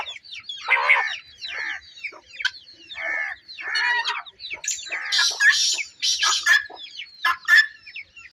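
Quail giving harsh, buzzy squawks and chattering bursts at an uneven pace, about one per second, some rising into shrill, scratchy notes.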